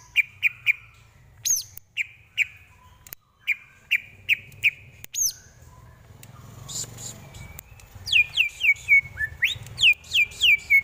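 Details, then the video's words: Greater green leafbird singing as a tutor recording for training: rapid series of bright whistled chips, then a burst of hissy noise, then fast high sweeping notes repeated several times a second. "Lagunya Masuk ini Bos, Enak buat masteran"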